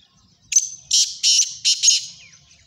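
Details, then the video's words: A black francolin (kala teetar) gives one short harsh note. Four loud, scratchy, broadband notes follow in a rhythmic phrase of about one and a half seconds. The phrase ends with a faint high trailing echo. "kala Teetar ki awaz"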